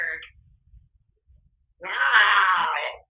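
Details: African grey parrot kept as a pet, making random sounds and talking to the TV when alone at home: a brief chirp, a pause, then a sustained harsh, wavering, buzzy note lasting over a second.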